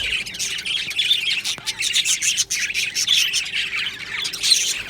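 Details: Budgerigars in an aviary colony, a dense overlapping chorus of chirps and warbling twitters, continuous and busy with no pauses.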